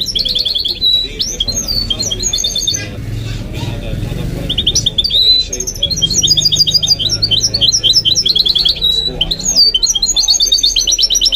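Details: Goldfinch-canary hybrid kept as a pet, singing in rapid tinkling runs of high notes and twitters. A short lull falls mid-phrase, then quick chattering trills resume.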